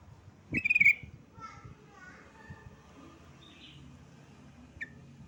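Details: Yellow-vented bulbul calling to a rival: a loud, quavering, rippling note followed by softer, lower warbled phrases and a brief final chirp, with faint background noise.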